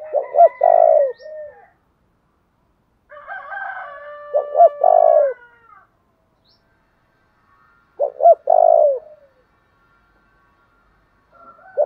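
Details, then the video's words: Spotted dove calls for training decoy birds, a fighting-style coo: repeated three-part coos, two short notes and a rolling longer note, overlapped in places by a higher, steady, harmonic droning tone. "tieng chim cu gay thuc đấu/ chim cu gáy tập bổi và mồi"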